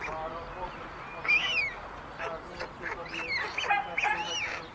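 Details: At a white stork nest built on a chimney in Ságvár, Hungary, amid meadows and wetlands, older chicks take food from the youngest; overlapping hoarse, arching calls come in quick bursts over a constant noisy hiss.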